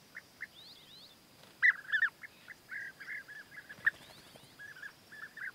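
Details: European bee-eater pair in courtship with male food offerings: scattered rolling trilled calls, a louder cluster near the middle, then fainter repeated notes, over low background hiss.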